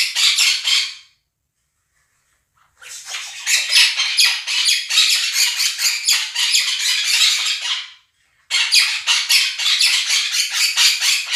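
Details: Two pet Quaker parrots screeching loudly above a recording of budgerigar chirping and singing: long bouts of fast, harsh, repeated squawks, roughly two per second, broken by short silences.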